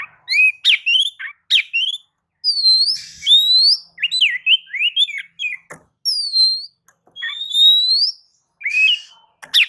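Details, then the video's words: Lively Oriental magpie-robin song meant to provoke other birds to sing, with looping upslurred and wavering whistles, short chips and a few buzzy notes in continuous, varied phrases. "kicau pancingan kacer gacor"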